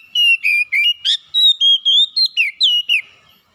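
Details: Kacer, the Oriental magpie-robin, in full song: about twelve ringing whistled notes in quick succession, some flat, some swooping down, with one rasping burst near the start of the run.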